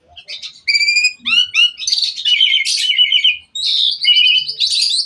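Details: Asian pied myna singing energetically in a varied, filled-out style meant to get other mynas singing: clear flat whistles, quick upslurred notes, then a continuous mix of trills, buzzy chatter and warbled phrases.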